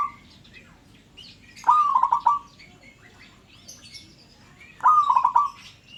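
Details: Local zebra dove calling to set other birds calling too, giving two short rolling phrases of quick, mellow, bubbling notes, each with a sharp rising start, spaced about three seconds apart, with faint chirps of other birds behind.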